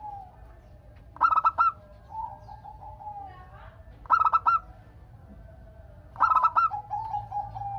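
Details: Local zebra dove singing to prompt other doves to reply: three fast bursts of four or five clipped coos about two and a half seconds apart, with lower wavering notes between.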